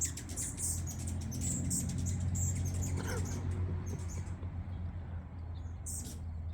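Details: Hummingbirds in a flower garden give rapid, very high, thin squeaks, squeals and chips in quick bursts, over a steady low rumbling hum.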